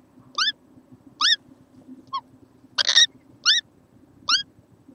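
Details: Little kookaburra recorded 6.11.14: crisp, downward-slurred harmonic notes repeated roughly every 0.8 seconds, broken once by a rasping broadband screech, with a faint constant low hum behind.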